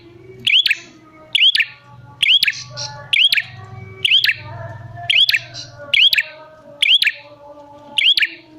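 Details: Prinia call used as bait for wild and reluctant prinias. Clipped arching whistle followed by a dry click, steady about once a second, nine times, with faint steady tones and low hum behind.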